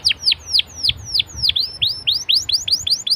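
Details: Canary singing as a prompt to make other canaries respond: a series of clear downward-sweeping whistled notes, about four per second, bright and high, over a low background rumble.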